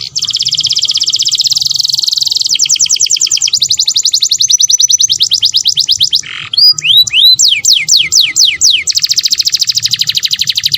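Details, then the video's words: Canary mating song for breeders: dense buzzy roll, then bursts of quick repeated notes, a few slurred downward swoops, and a final sustained trill, steady and loud with a faint low hum. "FISHING MATING CANARY"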